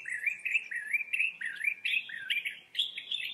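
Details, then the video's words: Common bulbul talking in a steady string of short, bent, slurred notes about twice a second, later phrases rising slightly higher and becoming more insistent. The background is quiet. "Bulbul Talk: The Common Bulbul (Pycnonotus barbatus)"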